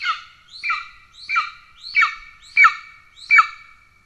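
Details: Golden eagle (Aquila chrysaetos) in Estonia, 17 July 2024, adult male arriving with a pigeon for an already-fed chick: six harsh, squawky, yelping call notes, each slurring downward, evenly repeated about every two-thirds of a second.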